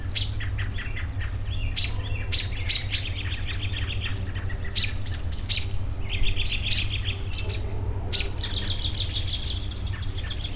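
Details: A busy chorus of birds for relaxation: sharp chips, rapid trills and bright chattering phrases overlap almost without pause, over a continuous low hum.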